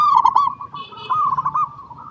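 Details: A local zebra dove sings a quick trilled phrase of rolling coos that eases into a steadier, wavering cooing line. Recorded as a lure to make other doves sing and to train young birds.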